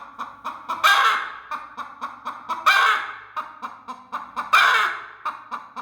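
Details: Broody hen, aggressive and protective, guarding her eggs: quick soft clucks repeat steadily while three loud, harsh, drawn-out squawks break in about every two seconds.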